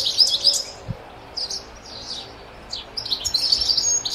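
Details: A goldfinch in the wild sings in high, tinkling, twittering bursts separated by brief pauses, with quick scratchy notes tumbling together, over faint background hiss.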